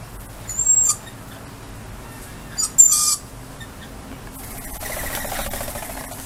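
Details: Outdoor lorikeets greeting a familiar person give two brief, shrill screech bursts about two seconds apart, followed by a softer, hissy wash of sound.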